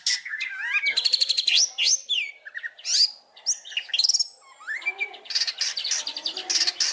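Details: Long-tailed shrike (cendet) song used as a master recording to prompt and train other birds, full of rich fill phrases: fast, varied medley of whistled slurs, trills and harsh buzzy bursts, almost continuous with brief pauses.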